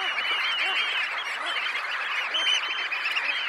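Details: Massed red knots, some 20,000 birds, leaving a high tide roost: a loud, unbroken blend of countless short, slightly nasal calls overlapping without pause.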